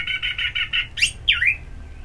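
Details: Orange-headed thrush song played as a ngeplong therapy to stimulate singing. Five even buzzy notes come quickly, then two sharp sweeping whistles, the second sliding down, over a low background hum.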